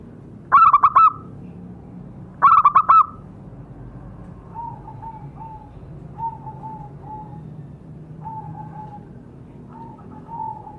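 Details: Zebra dove call played as a lure to set captive birds calling: two loud bursts of about four quick, rolling cooing notes near the start, followed by fainter, softer lower coos from another dove spread through the rest.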